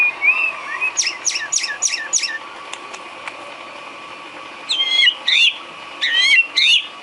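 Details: Caged-bird training filler from a white-rumped shama. A low whistled warble leads into four quick, sharp downslurred notes. After a near-silent pause, two pairs of loud, complex whistled phrases follow.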